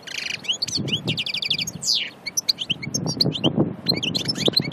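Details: European goldfinch from Annaba, Aïn Barbar: a fast, tinkling twitter of bright, varied notes, with short buzzy trills and sliding whistles. A low murmur of background noise rises and falls underneath.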